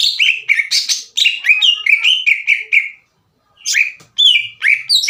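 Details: Agitated kept greater green leafbird challenging rival leafbirds to fight with a loud, ringing song. A fast string of clear descending whistles and buzzy notes, then a short pause and a fresh burst of sharp slurred phrases.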